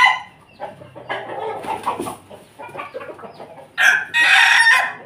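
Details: Pelung Bangkok rooster crowing loudly in the morning: a series of ragged, harmonic-rich crowing phrases, then two louder, harsher bursts near the end.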